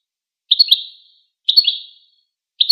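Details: Caged-bird goldfinch recording: short ringing twittered calls repeated roughly once a second, each a bright burst that trails off quickly, in a quiet background.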